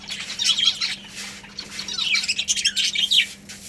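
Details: A colony of pet budgerigars chattering: busy high chirps and rasping warbles overlap in waves, loudest near the start and end, over a faint constant hum.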